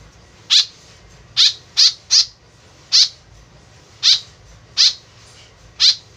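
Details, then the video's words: Talkative white-breasted woodswallow calling as a lure: eight grating, nasal notes, some in quick pairs and triplets, others spaced about a second apart. "BURUNG KEKEP BABI GACOR SUARA JADI PIKATAN . SUARA BURUNG KEKEP MENDEKAT"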